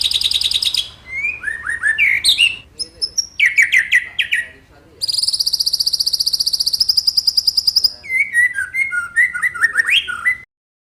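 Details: White-rumped shama song played to provoke other birds into singing, a loud varied medley of buzzy high trills, slurred whistles and rapid rattling phrases with abrupt pauses between sections.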